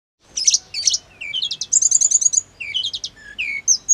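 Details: Hill blue flycatcher song, played to make caged birds answer: a fast, varied run of high chirps and sweeping whistled notes, including a quick trilled burst in the middle.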